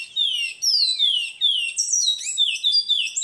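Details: Twa-twa seed finch training song, the "kiauw" opening part, with a choir bird behind: rapid series of clear descending whistled slurs, high and bright, delivered in quick bursts, later notes climbing higher and more clipped.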